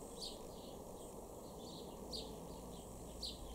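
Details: House sparrow in a garden in Weener, East Frisia, northwest Germany, July 2023, giving short, bright chirps, four of them about a second apart, over a steady low rumble of distant traffic.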